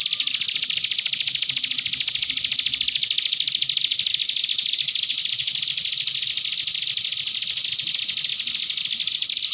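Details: Common iora master song in canary style, used to prompt young ioras to sing: a continuous, rapid, high trill of short notes repeated about three times per second, steady and unbroken throughout.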